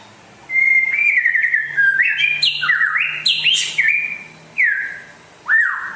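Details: White-rumped shama from West Aceh, described as rare and singing vigorously. It sings a rich sequence of clear whistled notes, slurred phrases and sharp upswept notes in quick succession, over a faint low hum.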